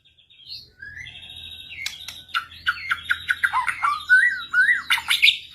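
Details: Singing white-rumped shama answering a rival, beginning with soft single whistles and building into a dense, loud stream of varied whistled phrases and sharp notes.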